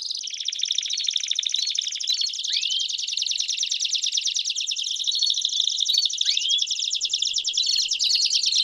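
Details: Several Belgian canaries singing at once: a continuous, very dense, high buzzy trill runs the whole time, with two clear upward-curving whistles standing out above it.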